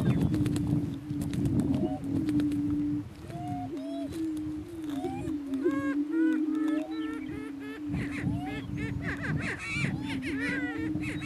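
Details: Two Greater Prairie Chicken males battle for dominance on a northeast Kansas lek; long low hooting drones continue for eleven seconds, overlaid by many rapid arched whoops, cackles and sharp clicking bursts.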